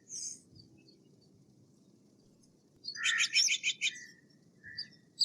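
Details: Quiet background gives way to a Steller's jay's quick rattling series of about seven clipped harsh pulses, followed by a short thin whistle and a faint chip.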